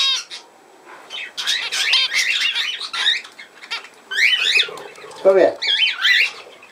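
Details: Budgerigar warbling recorded on 17 November 2024: after a quiet opening, bursts of rapid zigzag whistles and chirps, with a lower squawk near the end.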